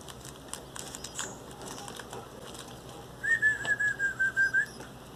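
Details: Hand-fed Belgian canary chicks, 17 days old, receiving baby food in the beak; around eight rapid, even high-pitched peeps in a row lasting about a second and a half, after quiet rustling and light tapping.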